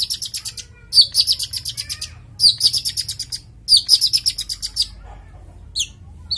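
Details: Long-tailed shrike, a male in breeding condition, recorded as lure and song material for a female. Three bursts of fast, scratchy, buzzy chatter about a second each, followed by a few isolated sharp notes.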